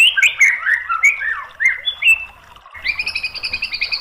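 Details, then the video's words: A white-rumped shama sings loud, varied whistled notes, some sliding down, some rising. After a short gap comes a quick, even series of high chipping notes. The recording is meant to provoke other shamas into answering. "MASTERAN MURAI BATU biar EMOSI jadi NYAUT GACOR"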